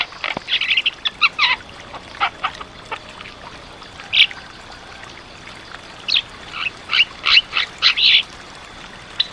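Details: Black-winged starling song, a lively master recording for training other birds: bursts of harsh chattering and whistled notes, loud and bright, come in irregular clusters with short pauses, the densest run near the end.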